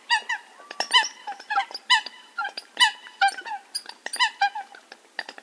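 Eurasian coot giving short, nasal, trumpeting notes in quick bursts of two or three, about once a second. Several calls overlap, suggesting more than one bird.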